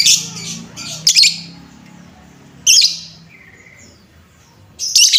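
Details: Lovebird call played as a lure to excite other lovebirds: bursts of harsh, shrill, noisy screeches separated by pauses, with a faint thin whistle in between and a low background hum.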